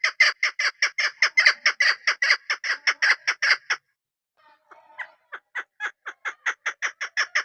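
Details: A local female chukar partridge, a hunting decoy, calls in a loud run of about sixteen grating clucks, pauses briefly, then resumes with a softer, quickening series of chuk notes.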